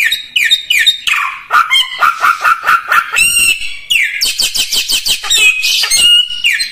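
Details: Common iora singing actively, meant as a tutor recording for training other birds: a loud, varied run of short downslurred whistles and buzzy notes, then rapid repeated chips near the middle and bright, harsh rising phrases.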